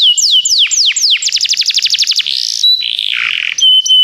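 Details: Canary song used to prompt a pet canary to sing: a few slow descending sweeps, then a rapid run of repeated sweeping notes, followed by buzzy rolling tones and short pure high whistles.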